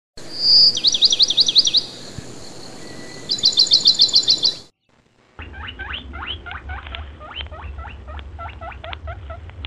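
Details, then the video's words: Wild partridge chicks: high, thin peeping in rapid trilled bursts, then after a short break a rougher run of quick chirps over a low background rumble. "wild partridge chickes"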